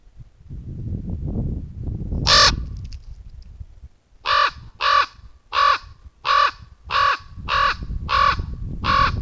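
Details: A common raven in a forest near Murmansk, caught on a camera trap, gives one loud harsh call, then a run of eight rasping caws about two-thirds of a second apart, over a low rumble of wind.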